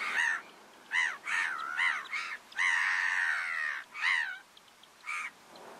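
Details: In the Camargue, France, in August 2019, a black-winged stilt (Himantopus h. himantopus) gives harsh, nasal, yelping calls, mostly short and repeated about once a second, with one long drawn-out cry in the middle.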